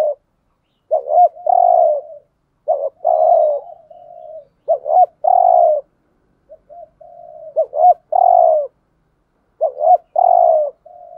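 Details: Lure spotted dove cooing to draw in other doves, 'gù thúc' urging style; steady series of phrases, each quick stuttered notes followed by a sustained mellow coo, with faint soft trailing coos in the gaps.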